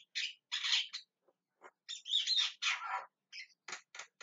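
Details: A Javan myna calls loudly: broad, grating screeches of about half a second mixed with clipped rasping notes, delivered in irregular clusters with short pauses.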